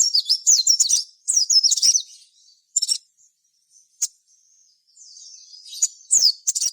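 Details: Crimson sunbird (sogon) singing hard, meant to spur other sogon into song: a fast, jumbled run of high zigzagging squeaks and chirps, then scattered ticks and a thin, buzzy twitter.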